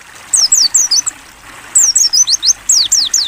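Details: Two lively phrases of loud, crisp Mountain white-eye whistles, each note sliding steeply downward, the second phrase longer at around ten notes; ngalas open-beak training song with a faint water trickle beneath.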